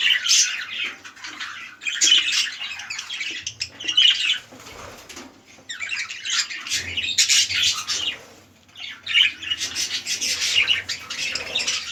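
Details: Red-eyed lutino budgerigar breeding pair, big male and small female, giving repeated scratchy chirping bursts separated by brief pauses, with quieter twittering in between.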